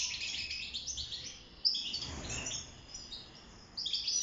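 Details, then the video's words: Caged wild European goldfinch (mqnin), song for mating and nest building; twittering at the start, a near-silent gap of about two seconds, then a fresh burst of high chirps and trills at the end. "روعة تغريد طائر الحسون البري (المقنين) داخل السلاكة"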